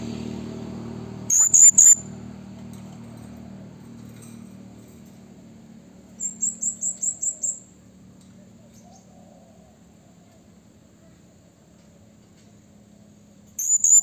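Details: Rival-provoking call of a blue-crowned hanging parrot: a pair of shrill high notes, then a fast run of six short squeaky notes, and another high burst at the end, with faint low hum.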